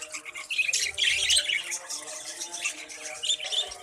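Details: Budgerigars in a breeding colony with many chicks, kept indoors, raising a busy chorus of overlapping high squawks and warbling chirps in uneven bursts, with steady low tonal lines underneath.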